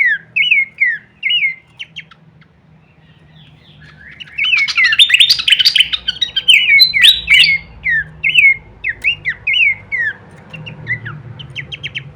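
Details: Horsfield's babbler song used as masteran training audio for songbirds, full of varied kleperan phrases: short whistled slurred notes, then a dense burst of rapid chattering twitters, then more repeated downslurred whistles, with a low hum underneath.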